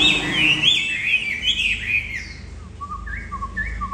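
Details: Very tame caged Chinese Hwamei, old and wild-caught, still singing with a person seated right beside it. A bright tumbling warble of whistles is followed by short, flat, repeated piping notes.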